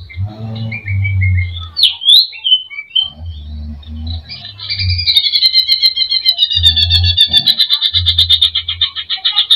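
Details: Greater green leafbird in full song with mimicked phrases, played to provoke another bird's emotion: scattered whistled slurs and short chips give way to a fast, continuous high rattling trill, over intermittent low humming rumbles.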